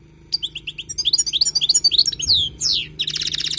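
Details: European goldfinch singing wild-style song for tutoring: a rapid string of repeated liquid chirps, then a downward-sweeping twitter, a drawn-out nasal buzz, and a closing fast buzzy trill.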